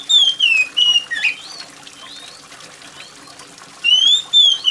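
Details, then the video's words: Oriental magpie-robin singing loudly and shrilly in the rain: falling whistled slurs and a harsher squawky note in a rapid burst, a quiet stretch of water patter, then two more descending clear whistles. "TERAPI KACER MALAS BUNYI || kacer mana yang gak ikut bunyi dengar kacer gacor + suara air hujan"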